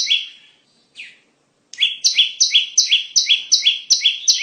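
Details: Bar-winged prinia song used to lure birds into traps: two loose descending chirps, a short pause, then a rapid steady run of paired high-to-low chirps, about eight in a row.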